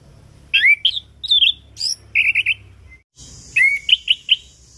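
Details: Lure song of a chestnut-capped thrush meant to trigger quiet birds: a rapid run of whistled, fluty notes and sharp slurs, a brief gap, then more whistled phrases over a high steady hiss.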